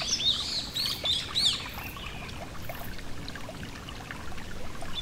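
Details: Yellow-throated bunting by a gentle stream gives a short burst of high, thin chirps and slurred notes in the first second and a half, then mostly the low, steady rush of running water.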